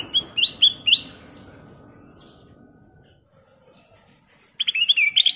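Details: Sooty-headed bulbul singing in a lively, energetic style: a quick run of bright, bubbly whistled notes, a long pause with faint background hum, then another burst of rapid chirping notes near the end.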